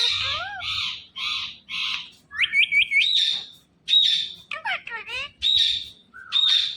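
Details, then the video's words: Indian ringneck parrot giving loud harsh screeches in quick succession, mixed with a rapid ladder of short rising notes and swooping whistled calls, the noisy squawks dominating throughout. "Parrot Talking Everything"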